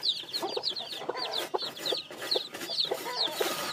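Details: Newly hatched chicks give rapid high downslurred peeps amid busy lower clucking and scratchy background noise.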